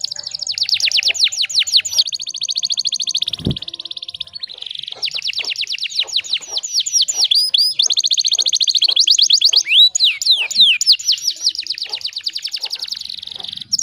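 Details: Continuous canary song used to train other canaries: long high rolling trills and fast downslurred notes at about three per second, with one sharp click near the start.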